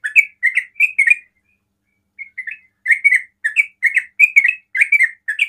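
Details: Yellow-vented bulbul in fast ropel song, used to goad other bulbuls into singing. A burst of rich, slurred chirps is followed by a one-second pause, then soft notes resume into a dense run of rolling, bubbling phrases.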